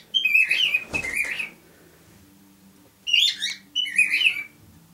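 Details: A male cockatiel sings two bursts of bright, warbling whistled phrases about two seconds apart, with a soft thump between them.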